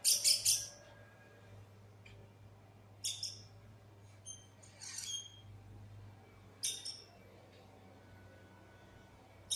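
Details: Harsh squawking bursts and sharp high whistles from a lost black bird, delivered in short clusters separated by pauses of a second or more, over a low hum.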